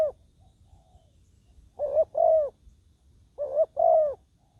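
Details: Spotted dove acting as a decoy on the ground to draw in wild doves; hollow paired coos, a short note leading into a longer one, repeated about every one and a half seconds in a quiet setting.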